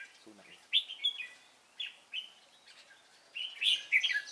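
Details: Red-whiskered bulbul, Cánh ruồi variety valued for its voice, heard while being trapped on 3 March 2017: bright clipped phrases spaced about a second apart, building into a dense excited warble at the end.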